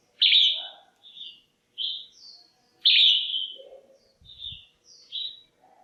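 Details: Loud, clear calling from a female red-whiskered bulbul in a cage, meant to stimulate males or for pairing: strong downward chirps mixed with brief high notes, with a soft low thump partway through.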